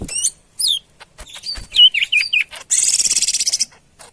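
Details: Medan greater green leafbird singing energetically: short bright whistled notes and downslurs, then a fast buzzy high rattle of about a dozen pulses lasting nearly a second, with faint clicks between phrases.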